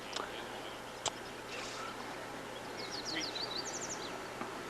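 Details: A Yellow-breasted Chat, in the morning on the Colorado River in the Grand Canyon below Nankoweap, yakks at rafters: a quick run of high, chattering notes in the background, over a steady rush of river noise with a few sharp clicks.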